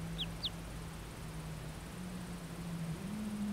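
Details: A call duck duckling that has just woken up gives two quick, thin, high peeps that slide downward, close together at the start, over a steady low hum.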